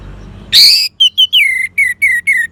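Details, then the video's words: Orange-headed thrush phrase meant to prompt a non-singing bird: a harsh rasping burst, then six clear whistled notes, each dropping from high to lower pitch, spaced evenly. "Terap1 Suara ANIS MERAH Macet Bunyi Agar Mau Kenceng Dengar Kicauan Ini."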